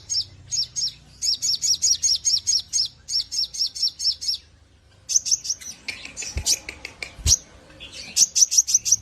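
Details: Javan grey-throated white-eye delivering long, energetic song for tutoring other birds: repeated bursts of rapid high chirps in sets, then more varied twittering with a couple of sharp clicks, and chirp runs resuming.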